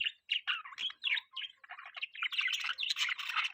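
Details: Budgerigar producing clean, separate scratchy chirps that speed up into a quick, jumbled twittering warble.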